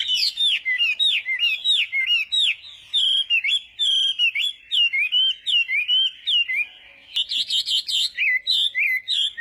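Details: Chinese hwamei singing in a contest-style morning voice training session: loud, varied whistled phrases with slurred rising and falling notes, quick repeated trills, a brief pause, then bright rapid repeated notes.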